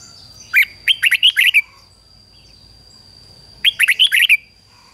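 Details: Red-whiskered bulbul singing as a lure for wild birds, repeating a bright, chirpy phrase of about six quick whistled notes twice, roughly three seconds apart, with a constant faint high-pitched hum behind.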